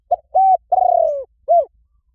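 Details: Spotted dove call used to make weak decoy doves call quickly; one complete phrase: a short note, a steady hoot, a long rolling coo that drops in pitch, and a final hoot.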